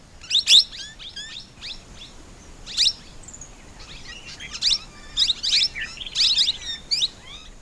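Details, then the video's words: Plum-headed parakeet: irregular clusters of piercing, squeaky high notes, loud bursts alternating with softer scattered chirps, with a steady faint hiss underneath. "Plum-Headed Parakeet Call പൂന്തത്ത"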